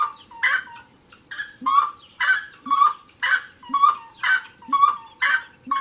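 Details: Saracura, a wood rail, singing a rapid series of raucous, nasal cackles with brief low grunts between them, about two phrases per second, loud and close with little background noise.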